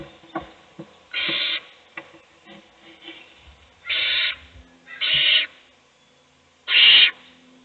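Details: Nest-box owl feeding a chick while the other chicks sleep; four strong breathy hisses, each under half a second, with faint clicks and shuffling between them.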